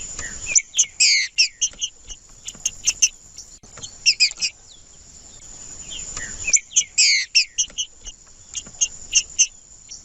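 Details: Male green-winged saltator in challenging song meant to warm up a cold bird: bursts of dense chirpy, whistled notes every two to three seconds, separated by quieter pauses, with a continuous high buzzing insect-like tone behind.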